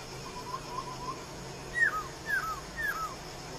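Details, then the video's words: Three sharp downslurred whistles from a laughingthrush in the wild, each dropping quickly in pitch and repeated roughly every half second after a faint murmur of softer notes. "KEHIDUPAN BURUNG POKSAI D ALAM LIAR_POKSAY"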